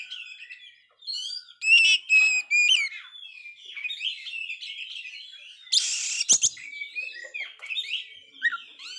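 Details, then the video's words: Failed-moult Oriental magpie-robin in full song: continuous varied warbling of scratchy and whistled notes, a few loud ringing whistles, and a harsh broadband burst midway. "Kacer gagal mabung ini sangat gacor sekali"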